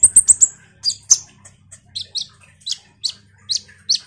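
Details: Common iora singing energetically as a lure for kolibri ninja birds: a fast run of four piercing high pips, then spaced, sharp downslurred chirps repeated roughly every half second.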